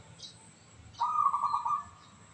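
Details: A local zebra dove described as crystal-voiced gives one quick, trilling coo of about a second. A couple of faint high chirps come just before it.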